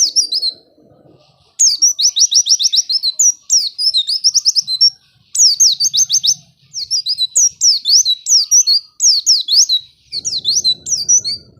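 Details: Coaxing song of a white-eye for birds that will not sing: long series of high trilled bursts and quick falling whistles in phrases of one to two seconds, with short pauses; low hum at start and end.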